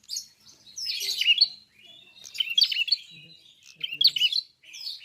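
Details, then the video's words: Red-fronted prinia, or klawu, in lively song: four or five rich, scratchy bursts of high chirps, roughly one every second. "BUKA PARUH FULL GACOR BURUNG PRENJAK KEPALA MERAH/KLAWU"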